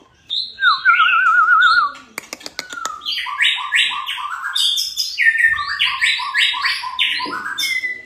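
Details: White-rumped shama in full song, used as therapy to get other shamas singing quickly. A wavering whistled trill comes first, then a brief series of sharp clicks. After that, loud rapid runs of repeated chopped notes and whistled phrases follow.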